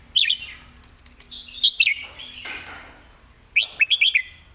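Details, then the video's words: Red-whiskered bulbul in a rapid master-song style. Bright whistled notes open the clip, a brief phrase follows, then a final burst of four quick notes, with a soft hiss and warbling between. "เพลงดี"ปากไว เดินเพลงย้ำๆ เพลงแม่บท"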